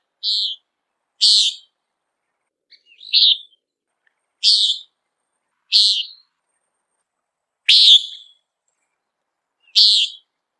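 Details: Common Nighthawk giving its peent call in flight while searching for insects: seven short, sharp, buzzy nasal notes, each well under a second, spaced about one and a half to two seconds apart against a silent background.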